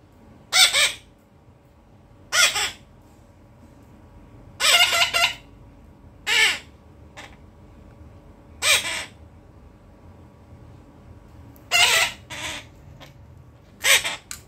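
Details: A pet cockatiel, during rain, gives harsh, screechy calls in short bursts, repeated every couple of seconds.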